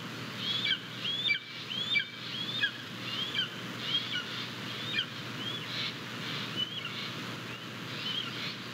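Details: Japanese golden eagle (Aquila chrysaetos) chick at a nest, 22 May 2023, as her father delivers prey and she starts eating: thin, high chirps, each bending up then down, about 1.5 per second, over steady wind.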